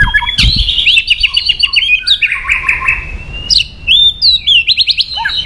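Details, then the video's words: White-rumped shama singing to provoke aggression: a loud, varied run of clear whistles and rapid trills, mostly high-pitched, with sliding notes and short breaks between phrases. "AWAS MURAI BATU MU IKUT EMOSI"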